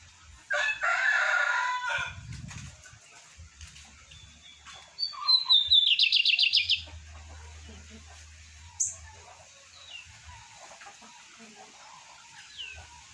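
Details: Lined seedeater kept by a breeder, singing around 8:30 in the morning: a harsh, buzzy, thick phrase, then a thin whistled note sliding into a rapid strong trill, with a few faint chips afterward.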